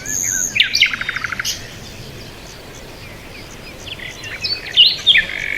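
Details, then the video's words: Short buzzy rattle-like trills and high chirps sound at the start and end, with a quieter hissing background between them. "Birds Sound | bird chirping sound | Peaceful Bird Sound"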